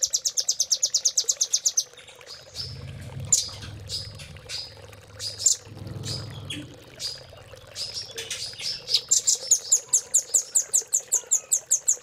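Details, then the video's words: Velvet-fronted nuthatch training song in the Cililin style for caged birds: fast high chattering trills open and close the recording. Between them come scattered single chips over a low rumbling background. "RAMBATAN GACOR ❗️Isian Cililin❗️Masteran Rambatan Paruh Merah"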